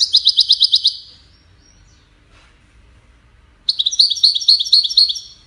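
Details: European goldfinch in Widani style, used to train chicks: about one second of quick, regular high chirps, a long pause, then a livelier phrase of jingling twitters and short whistles.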